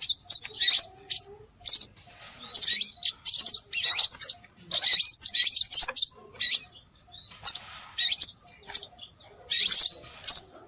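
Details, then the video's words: High, sweeping whistles and clustered chirps from scarlet minivet, a lure to attract birds, in frequent overlapping bursts across the whole recording. "Suara Burung Sepah Raja"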